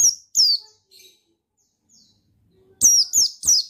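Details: A male buxtoni white-eye, recorded as a lure to provoke other white-eyes to sing, gives shrill high chirps that fall in pitch. Two come at the start, then a quiet gap, then a quick run of three.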